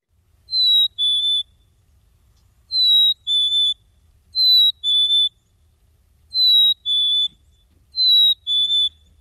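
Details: A Black-capped Chickadee song, typically sung by males in mating season to claim territory and attract a mate, heard in Washtenaw County backyards from late winter into early summer: a clear two-note "hey sweetie" whistle, high dropping to low, repeated five times about every two seconds.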